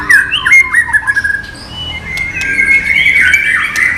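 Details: White-rumped shama song without bubbling notes, used as training material: clear whistled phrases and short rising slurs, then a long sustained and slightly wavering whistle over faint background hiss.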